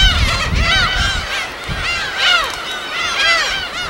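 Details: Recorded at a natural gull habitat on an uninhabited island in Korea's West Sea: a chorus of bent, nasal gull cries repeating in waves, with low surf-like rumble in the first second.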